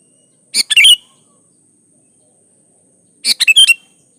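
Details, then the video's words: Sooty-headed bulbul singing gacor as a lure for other bulbuls: two harsh, squawky chirp phrases with a whistled ending, roughly three seconds apart. "Suara Burung Kutilang gacor"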